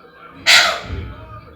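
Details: Pet ringneck parrot calling indoors: one loud, harsh, raspy squawk lasting about a quarter second, then quiet room hum.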